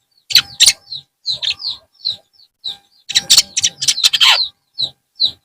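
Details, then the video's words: Afternoon song of a long-tailed shrike, a varied medley of high chirps, squeaky whistles and harsh bursts, with scattered single notes between phrases. "TERAPI BURUNG CENDET SORE HARI"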